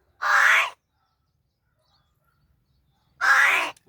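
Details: Angry talking crow at Gargav in Palghar, using a changed voice: two loud, rasping caws roughly three seconds apart, with silence between.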